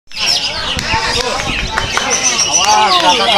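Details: A Greater green leafbird pours out a loud, fast run of varied whistles, chirps and slurred warbling phrases without pause. Human voices may be mixed in.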